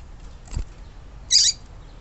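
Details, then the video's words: Female yellow-bellied seedeater calling to excite males. A faint tick is followed by one short, strong, buzzy high chirp, then quiet hiss. "Papa capim fêmea levanta defunto"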